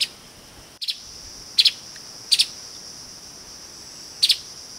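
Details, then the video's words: Streaked spiderhunter calling: sharp, high doubled chip notes, four bursts at irregular gaps of about one to two seconds, over a steady shrill insect drone, with a brief click near the start. "Tiếng chim Hút mật Bắp chuối đốm đen ✅Streaked Spiderhunter (Arachnothera magna) ✅นกปลีกล้วยลาย"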